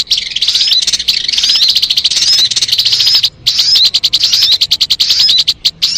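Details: Lure recording of sogon bird song for trapping: continuous shrill, rapid chattering twitter with brief whistled slurs, pausing once midway before resuming in choppy bursts.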